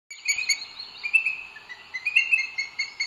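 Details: Booted eagle at a nest in Sierra de Guadarrama natural park, Spain, 2 June 2022, on a live nest webcam as the male brings food to the female; irregular high, thin chattering notes with bright overtones, uneven bursts.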